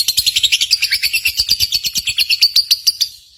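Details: Lovebird from a song contest, used to rouse caged lovebirds: an unbroken run of about twenty quick, high chirps, shrill and evenly pulsed, fading at the end.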